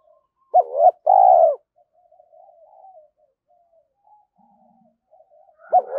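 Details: Spotted dove lure for young caged doves: one full phrase of a wavering double note and long hollow coo, followed by soft scattered murmurs, then the start of the next phrase.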